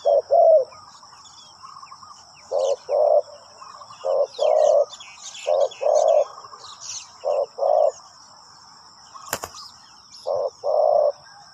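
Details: A spotted dove decoy luring wild birds to the ground utters low coos in separated groups of two to three notes every one to two seconds, with faint high twittering and one sharp click.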